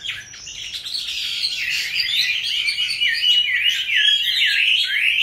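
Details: Captive Chinese hwamei, kept from young into a fifth year, starts quietly, then swells into a dense, energetic warble of rapid whistled notes and trills.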